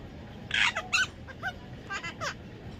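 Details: Baby parrot, possibly an Indian ringneck, giving a series of harsh, grating squawks and short falling chirps, about six notes in under two seconds, over a faint background hum.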